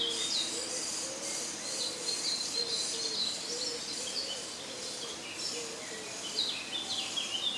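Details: Common starling (Sturnus vulgaris) in woodland beside Jarun, Zagreb, Croatia, spring 2017: a continuous stream of thin, high, varied whistles and chatter, with brief lower warbled notes and a faint steady hum.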